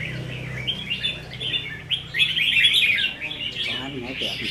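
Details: Red-whiskered bulbuls kept in cages compete in a practice singing match on 15 May 2021; a low hum opens, then a bright, rapid warbling run peaks midway and fades into softer twitters.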